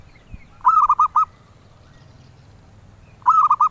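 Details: Zebra dove valued by collectors, cooing in clear, rolling phrases of four or five notes, one early and another after a two-second pause, with little else audible.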